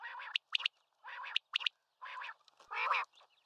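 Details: Common quail giving crisp three-note phrases, with a short pause between phrases, alternating with buzzy, rasping bursts.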